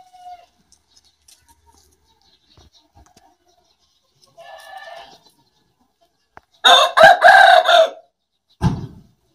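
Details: Aseel or black bantam rooster in a crowing competition: a faint distant crow midway, then a loud hoarse multi-part crow of just over a second, followed by a brief low knock or thump; otherwise quiet.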